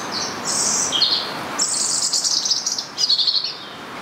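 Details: A rose-ringed parakeet in Stanley Park, Blackpool, seen there on and off for about two to three months, gives harsh, high screeching calls in quick bursts of several overlapping notes over a few seconds, with faint outdoor background noise.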